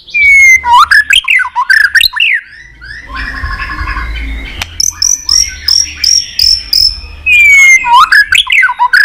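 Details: White-rumped shama singing, used to fire up pet shamas: loud slurred whistles and sharp tack notes, a softer buzzy middle, then a high rapid series of clipped notes and a return of the falling whistles.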